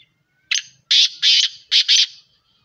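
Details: Black francolin calling, a series of harsh, loud bursts: one short note followed by four strong buzzy syllables in two pairs over about two seconds, with a quiet background.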